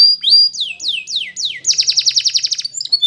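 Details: Belgian canary training song with a run of downward-sliding whistled notes, then a quick rattling trill of repeated notes, ending in short chirps.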